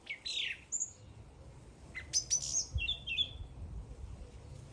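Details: A bird sings a quick mix of whistled chirps, brief clicks and short buzzy slurred notes at an uneven pace, with soft low noise behind.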